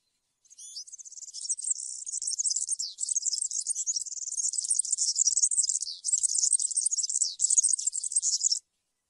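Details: Field-style 'canto campero' song of a European serin, offered for young birds to copy while moulting: an unbroken, very high, sizzling jingle of rapid metallic notes running about eight seconds, with a short stutter near the middle.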